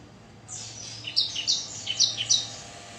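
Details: Bar-winged prinia giving a quick burst of high, thin, sharp chirping notes, about six bright accented chirps in just over a second, with softer twittering between them, over a faint low hum.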